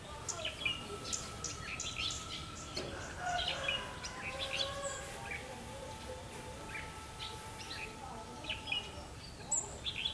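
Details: Red-whiskered bulbul of the fiery eye-ring type singing as a decoy during trapping on 31 October 2016: bursts of short, bright chirps and warbled notes, several birds overlapping, over a faint steady tonal hum and light outdoor background noise.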